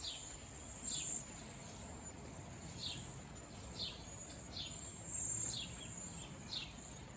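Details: Wild flock of cedar waxwings calling with very high, thin, downslurred whistles repeated roughly every half second to second, soft against a steady hiss.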